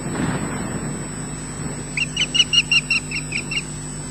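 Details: Osprey fish-calling at the nest, Loch Garten in Scotland: after a brief rustle, a series of about nine high, piping whistled notes in quick rhythm, somewhat softer than the background hum.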